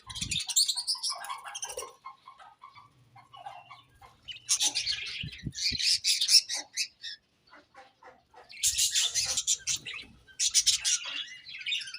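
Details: Budgies in the morning give bursts of fast, harsh warbling chatter separated by quieter gaps with soft scattered chirps, and a few low taps between the bursts.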